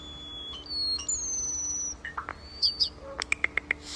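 European starling singing a varied medley: long thin whistles, a descending slur, buzzy notes, then a quick run of four sharp clicks.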